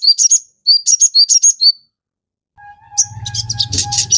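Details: Crimson sunbird (sogon) chattering, a lure for captive birds. Quick high tweets in two short bursts, then silence, followed by a steady low hum and a brighter rushing wash of sound.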